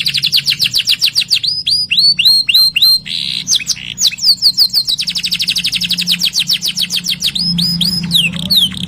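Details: Canary song, a long energetic run of rapid repeated sharp notes, more than three per second, shifting between trill sections and clipped chirps, high and loud throughout over a quiet low hum.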